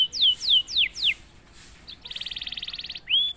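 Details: Canary, prompted once, gives four falling whistled sweeps, a short pause, a long fine buzzy trill and a final rising note.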